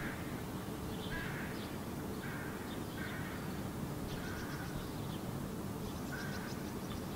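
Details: Young hooded crow, a recently fledged bird standing near its parent by a puddle in Helsinki, Finland, July 2017, giving repeated short rasping calls roughly every second, with faint higher chirps from other birds and constant low rumble.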